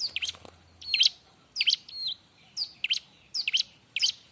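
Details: Bar-winged prinia in a loud, busy, noisy song for tutoring other birds: short high chirps with sharp down-and-up sweeps, in bursts about every half second, with a faint low hum early on.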